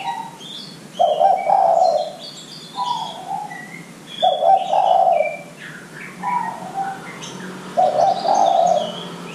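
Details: Spotted dove calls used as a lure to get young doves calling: a hoarse, husky multi-part coo repeated roughly every three seconds, with thin chirps from other small birds above.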